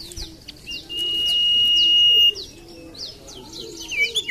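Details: Common iora song played to coax other birds into singing: a long, even whistle runs mid-clip under a busy background of repeated falling chirps and soft low cooing notes.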